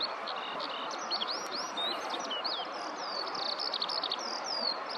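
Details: Eurasian skylark on the ground in a rice field giving a long song; high rising and falling whistled slurs mixed with quick chirps, delivered without pause over a steady noisy background.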